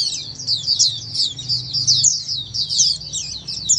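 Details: Oriental white-eyes singing in a crowd, used as therapy so a silent white-eye joins in: an unbroken stream of shrill, high, quick twitters and slurred notes, with a faint low droning sound behind.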